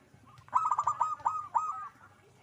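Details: Zebra dove singing lively: one phrase of soft cooing notes near one pitch, a short lead-in then about six quick rounded coos rolling together, about a second long, over faint background hiss.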